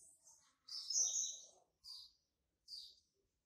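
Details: Young male Double-collared Seedeater, hatched in March 2019, marking territory. Faint and distant-sounding: one longer high, wavering warble, then two short high chirped notes spaced about a second apart.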